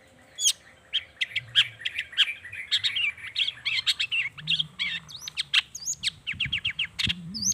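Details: Long-tailed shrike song as a lure for shrikes: a rapid, varied jumble of chirps, trills and looping whistled phrases, packed densely with barely a pause, possibly mimicking other birds.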